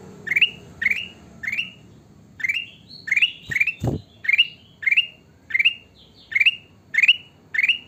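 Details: Sooty-headed bulbul, kutilang emas, in persistent song: bright rising whistled notes repeated about every half second for eight seconds, interrupted once by a sharp knock or thump near the middle.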